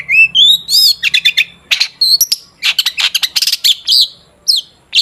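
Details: Energetic long-tailed shrike song, played as a lure to set shrikes singing: a rising whistled slur, then dense clusters of sharp chattering clicks and piercing chirps in uneven bursts over about five seconds.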